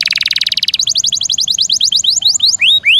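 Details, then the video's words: High canary song, a bright buzzy trill that breaks into quick repeated downslurred notes, slowing toward the end with a few longer rising whistles. "Suara kenari gacor ngeroll nembak mantap"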